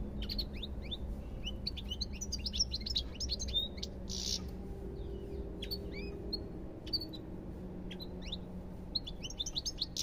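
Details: A lively goldfinch phrase of liquid, high-pitched chirps and upward-sweeping notes, run together in fast sequences and paused now and then, over a faint low hum.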